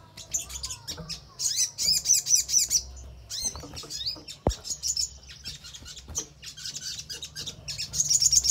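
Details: Crimson sunbird song played to get other birds responding and singing: bursts of rapid, needle-thin high trills separated by short pauses, with one sharp click midway.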